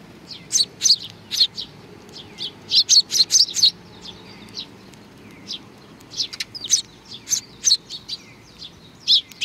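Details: Sparrows gathering for food at Tenmangu shrine in Nakanoshima, 21 June 2020: sharp high chirps come in clustered runs with short pauses between, several birds calling over one another.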